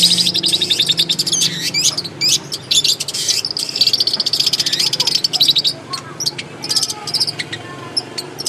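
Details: Long-tailed shrike singing in its natural habitat: a busy, rapid run of high chirps, trills and short whistled notes, with scratchy bursts and brief pauses, and a faint low background hum.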